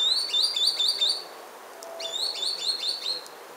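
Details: Green sandpiper singing in spring, recorded 24 January 2015: two trilled phrases of quickly repeated, upslurred whistles, each about a second long, with a short pause between.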